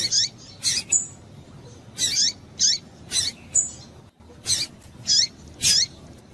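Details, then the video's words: Lively run of about ten high, sharp chip notes from a female Double-collared seedeater calling to excite males, spaced under a second apart. "fêmea de coleiro quente para esquentar coleiro"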